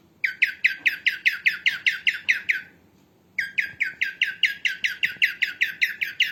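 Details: Female cockatiel, recorded for training cockatiels, makes rapid, evenly spaced bright chirps, about two to three each second, in two long runs separated by a short silence.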